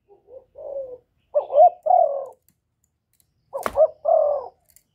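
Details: Spotted dove giving its luring coo, recorded live in a quiet setting: soft quiet lead-in notes, then a rising double coo and a long steady coo, repeated, with one sharp click near the second phrase.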